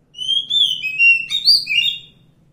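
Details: Oriental magpie-robin in the wild giving one rich whistled phrase of several sliding notes, some rising and some falling, ending in a brighter flourish, with a faint low hum behind.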